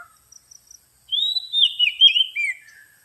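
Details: Oriental magpie-robin song used as a lure: a few faint ticks, then one long, bright whistled phrase of sliding, warbled notes that gradually falls in pitch.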